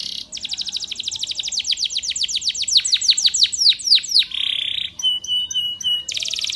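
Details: Spanish Timbrado canary song for training: a long run of fast, sweeping high notes that slowly drop and lengthen, then a buzzy trill, short clear whistles and a new rapid roll.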